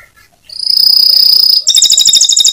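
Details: Atlantic canary, ngebren singing: a long, steady, piercing whistled note held for about a second, then breaking abruptly into a quick, ringing, rattled trill.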